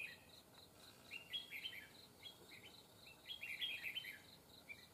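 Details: Wild red-whiskered bulbul at a fighting trap gives a run of quick, clear, slurred chirps and short twisting phrases, fairly soft, over a steady high insect drone.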